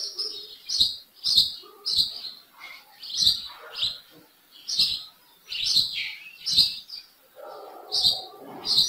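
A small bird gives sharp, high chirping notes in quick bursts, roughly one every half to one second, with some lower rustling sounds between them.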